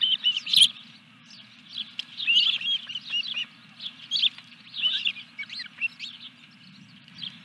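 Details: Ospreys at the nest with a delivered fish, 14 July 2021, evening; loud opening squeal followed by scattered high chirps and short slurred whistles, low hum throughout.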